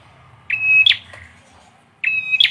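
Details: Bar-winged prinia, locally called peranjak or ciblek, sings a clear flat whistle that snaps into a sharp rising note, phrase repeated after about a second and a half.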